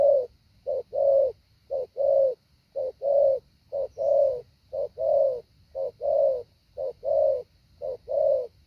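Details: Spotted dove decoy practising its 'hạ bổi' call in a long even run: eight or so short-long coo pairs, low and mellow, spaced about a second apart over a faint hum.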